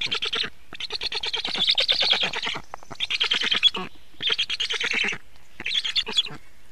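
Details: Black stork at the nest while feeding, evening of 24 June 2017: raspy pulsed calls in four separate bursts of varying length with short silences between them.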